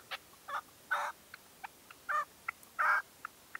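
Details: Red-legged partridge used as a decoy at dawn, 2023: a few loud, broad, harsh chuck-er notes alternating with short soft clicks over about three and a half seconds.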